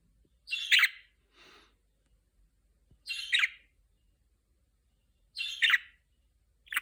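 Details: Pet budgerigar singing before it has learned to talk, producing short, scratchy, chattering bursts roughly every two to three seconds, each a quick warbled squeak with a fainter softer note after the first burst, in an otherwise quiet room.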